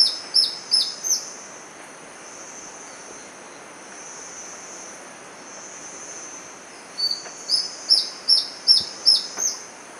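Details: Near-endemic Magdalena Antbird (Myrmeciza palliata) at Rio Claro, Magdalena Valley, Colombia, March 2012, giving high, sharp, down-slurred notes in two quick bursts, about four notes then seven, over a soft steady hiss.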